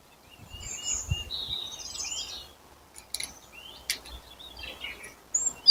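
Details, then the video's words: Spring songbirds in April give high, scratchy chirps and warbled notes, mixed with sharp clicking sounds and a few short thumps. "Апрель: птицы потихоньку распеваются"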